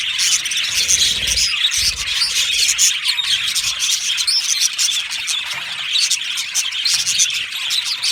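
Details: Chorus from a budgie colony kept in an aviary: many overlapping chirps and chattering warbles form a steady high-pitched wash, with soft low rumbles early on.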